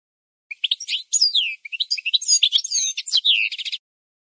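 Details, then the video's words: Goldfinch singing as training material for learning birds: about three seconds of lively, high-pitched twittering that mixes sweeping whistled slurs, chirps and short buzzes with hardly a break. "The Best Singing Goldfinch"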